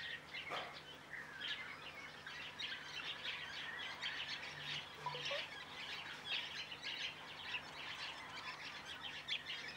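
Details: Large mixed flock of woodswallows, mainly white-browed with some masked, giving a dense, continuous chatter of short, scratchy chirps from many birds at once, with a faint low hum beneath.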